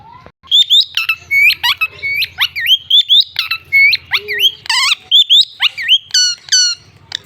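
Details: Village parrot calling in a rapid run of loud, sharp squawks and bent whistled notes, some rising and some falling, with a few rasping bursts; a low engine-like hum sounds in the background.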